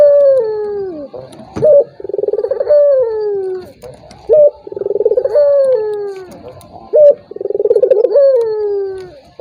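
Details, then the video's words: Provoking coo of a turtle dove aimed at a rival that is unwilling to call, with steady phrases of a brief rising note and a long rolling coo that drops away. "PANCINGAN BURUNG PUTER || COCOK UNTUK LAWAN YANG MALAS BUNYI"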